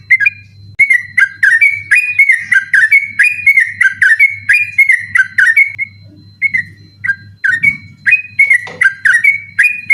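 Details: Night song of a sooty-headed bulbul, recorded as master material for contest birds: long runs of loud, clear whistled notes in quick succession, briefly broken and resumed, with a faint low hum.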